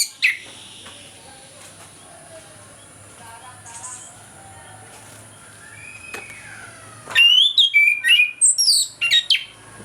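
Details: Morning ngeplong song of an orange-headed thrush, played to lure lazy thrushes into singing. Long quiet stretch with faint background, then a loud burst of sharp, varied whistled and rising-falling phrases near the end.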